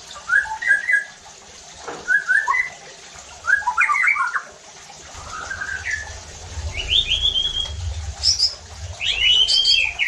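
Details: Provoking song of a white-rumped shama meant to rouse other shamas to sing hard; varied short whistles, chirps and slurred notes, some very high, over a low steady background hum.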